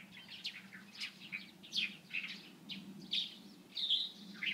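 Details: Light-vented bulbul, 16 April 2023: brisk chirping notes with a few longer, whistled slurred calls toward the end, above a constant low droning hum.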